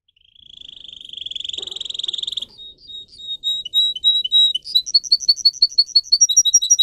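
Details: Singer canary used for song training: a long rapid trill swells in volume for over two seconds, then breaks into separate sharp whistled notes that quicken into a bright, even series of high chirps.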